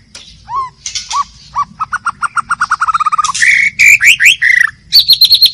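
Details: A wild white-rumped shama in forest sings a rich, varied phrase: a fast run of about fifteen repeated notes that speeds up, then loud slurred whistles and a bright trill.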